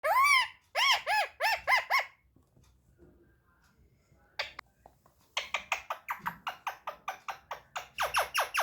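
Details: Pet parrot vocalising indoors in a small room: three arched, harmonic squawk-like notes, then a pause and a fast run of short, clipped syllables repeated almost twice per second.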